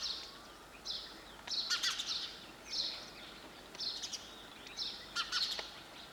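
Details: Repeated sparrow chirps, clear and high-pitched, arriving in short bursts with brief pauses and a faint steady hiss behind.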